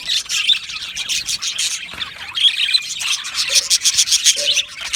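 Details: Aviary colony of budgerigars singing and chirping; crowded scratchy warbles and high chirps, interrupted by two short low humming notes in the second half.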